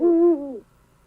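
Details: Owl hooting, played as an example in a lesson on how animals communicate: one low, steady hoot with rich overtones, held about a third of a second, then sliding slightly down and fading out.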